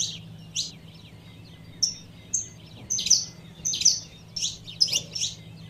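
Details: High chips and brief whistled peeps from a female saffron finch calling to excite a male, about eighty notes a minute, uneven spacing, faint hum behind.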